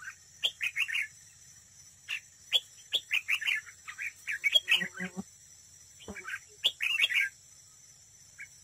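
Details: Red-whiskered bulbul used as a trap decoy, singing in competition: a run of bubbly, whistled phrases with a brief low buzzing sound midway, over a constant high hiss.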